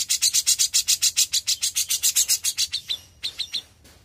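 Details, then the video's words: Young grey-cheeked bulbul in full song: a rapid, steady series of loud, rasping buzzy notes that gradually softens into a few thinner whistled chips at the end. "CUCAK JENGGOT MUDA GACOR"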